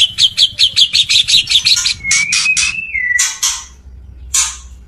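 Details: Courting male white-rumped shama calling to a female: a rapid string of sharp high ticks gives way to a long, smooth whistle that wavers and drops, then a few scattered harsh bursts.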